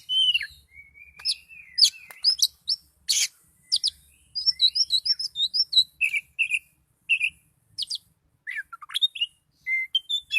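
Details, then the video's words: Highly agitated Oriental magpie-robin singing hard in the 'kicau door' style: fast sequences of sharp, high chirps and trills, rising and falling whistled slurs, and brief rasping notes with short pauses between bursts. "Kacer Gacor Kicau Door Lanjut Emosi Tingkat Tinggi"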